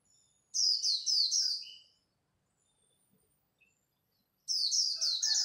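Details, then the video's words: Japanese white-eye singing khuyên líu, competing at dawn: quick high chains of falling notes in two bursts separated by a quiet gap, with a few faint lower chirps. "Khuyên líu đấu lúc bình minh, kích bổi mau nổi!"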